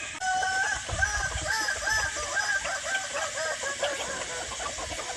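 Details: Hobby-kept Kukuak Balenggek chicken giving an extended crow of many quick, looping, wavering notes repeated steadily throughout, with faint background hiss.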